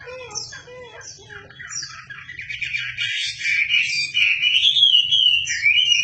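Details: Chinese hwamei in full voice as a song tutor for magpie-robins: soft low looping notes build into a dense, rising burst of high warbling and rolling whistles.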